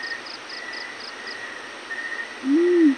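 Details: One low hoot from a yellow-breasted fruit dove at morning closes the recording. It is drawn out and gently arched. A series of fast, high, pulsed chirps comes first, and a constant hum lies beneath.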